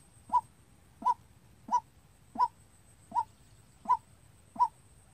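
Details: Decoy white-breasted waterhen calling by itself, its voice used to lure birds into traps: seven clipped, resonant notes, each with a quick upward inflection, repeated at a steady pace of about one and a half per second.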